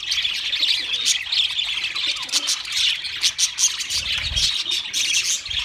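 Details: Pet budgerigars in song: rapid scratchy warbling mixed with clicks and sharp chirps, continuous throughout, with a soft low rumble around the fourth second.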